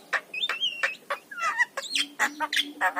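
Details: Javan myna singing on a master recording meant to encourage lazy mynas: quick mix of clicks, sliding whistles and raspy chatter notes packed into a few seconds, with a low steady hum underneath.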